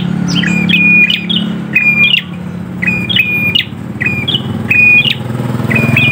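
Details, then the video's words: Prinia singing steadily: repeated phrases of a flat whistled tone framed by sharp chips about once a second, over a constant low rumble of traffic with passing vehicles. "prenjak gacor"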